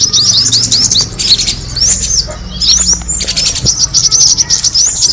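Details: Kemade bird attracting call: quick repeated high upslurred chirps in bursts, a brief pause near the middle, then more thin twittering notes.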